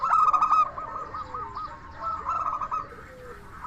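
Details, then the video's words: Local zebra dove singing as a lure for other zebra doves: a loud ringing note cluster at the start, then quieter bubbling trills of cooing notes. "Perkutut Lokal Gacor SUARA KRISTAL Ahlinya Bikin Semua Burung Perkutut Langsung Nyaut"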